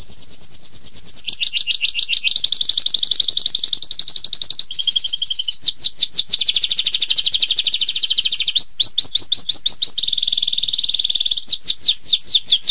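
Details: Canary delivering extended 'tembakan pedas' song: a chain of rapid trills switching pitch, with lower rattling stretches, bursts of steep sweeping notes and dense rolling passages flowing almost without pause.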